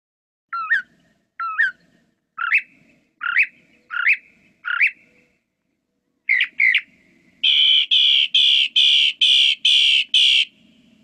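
A Northern Mockingbird repeats one sharp upslurred note six times, then after a pause switches to a rapid series of six harsh, buzzy notes.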